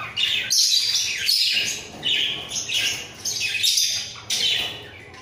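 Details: Two budgerigars sing in a breeding cage, bobbing their heads. Rhythmic, grating warble phrases of about a second each follow one another almost continuously, with short breaks.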